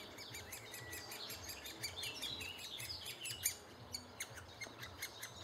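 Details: June 2011 recording of great spotted woodpeckers, the adults bringing food to their chicks; dense high chattering pulses run throughout, growing busier and more scratchy in the middle, then thinning into separate sharp notes toward the end.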